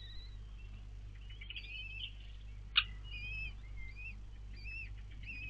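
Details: Four newly hatched common kestrel chicks beg with faint, thin, high wavering peeps and whistles as their mother feeds them at the nest on 4 May 2022; one sharp click midway over a steady low hum.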